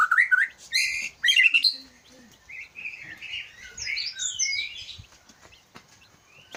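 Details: White-rumped shama of the Aceh Leuser type, a fighter-type bird, delivering varied song: bright rising whistles and sharp chattering bursts, then a rambling sequence of high warbled notes fading out.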